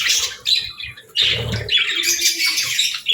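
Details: Brief budgerigar chattering: scratchy high chirps in quick bursts that pause and restart, with a few low bumps underneath.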